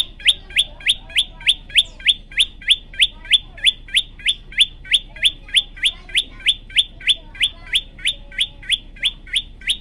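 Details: Olive-backed tailorbird in full, vigorous song, repeating sharp, bright upward-flicked chips at an even pace of roughly three per second for the whole stretch, with no other clear sounds.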